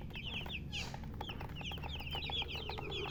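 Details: Chirping of baby chicks: many high, quick downslurred peeps tumbling over one another in a busy chorus, with a low droning hum underneath.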